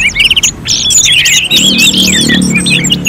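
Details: Orange-headed thrush song recorded like a contest simulation: brief flurry of quick whistled loops and chirps, loud and dense, with a low humming tone beneath the second half.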